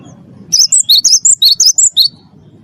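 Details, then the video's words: Champion Cinereous tit in vigorous song, used to lure other captive birds into singing: a single rapid phrase of about ten bright, high notes alternating between two pitches, within quiet low background noise. "gelatik batu wingko gacor juara satu pancing bunyi gacor"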